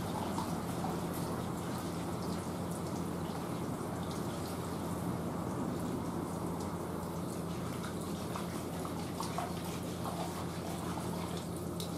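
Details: A constant wash of running water fills the recording, with faint dripping ticks and a low steady hum underneath. No animal call can be picked out.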